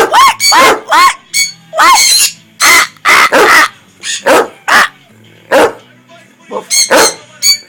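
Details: Pet sun conures kept with a green-cheeked conure make noise together: loud harsh screams in rapid irregular bursts, mixed with talking-like rising squawks repeating "what" and a person's voice.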